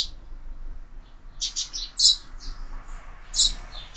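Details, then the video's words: Sparrows at a window-mounted feeder, being fed: a few loud, bright chirps in short clusters separated by brief pauses, over a soft low hum. "Воробьи в кормушке"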